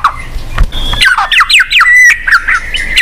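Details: White-rumped shama song used to get a silent bird singing: quick down-slurred whistles and a buzzy trill over a steady tone, with a passing car and low rumbling thumps audible.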